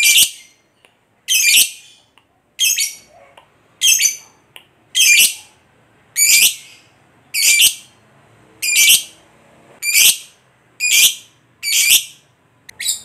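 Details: Lovebird calls used to provoke other lovebirds into ngekek singing: short, shrill, harsh chirping bursts, each under half a second, repeated roughly once a second in an uneven series.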